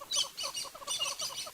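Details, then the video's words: At sunrise on 18 May 2016 in Sabi Sand, hornbills give quick, repeated clucking alarm calls, several per second, as kudu and a squirrel also alarm at a possible leopard; high, scratchy chatter from other birds runs behind. "We've got hornbills that are giving us the alarm call."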